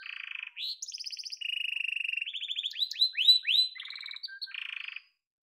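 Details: Domestic yellow canary sings a fast, unbroken run of high buzzy trills and rolling tours, shifting to rising sweeps partway through before ending on another rapid trill.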